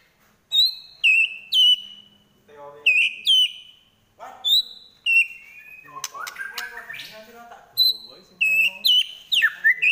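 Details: White-rumped shama fighting song: loud high whistled notes that fall in pitch, given in spaced groups, with a mixed chattering passage in the middle.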